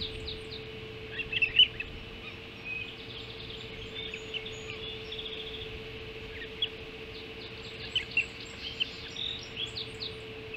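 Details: Ospreys at the Hog Island nest during a double helping of first breakfast, 05:20 on 7 July 2016; scattered high, sharp chirps come in small bursts near the start and again toward the end over a steady low electrical hum.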